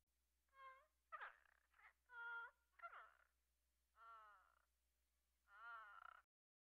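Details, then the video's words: Quiet series of African grey parrot calls: harmonic whistles, bent and warbling notes, and a couple of raspy squawks, in bursts about a second apart over faint steady low hum. "parrot sounds |parrot african"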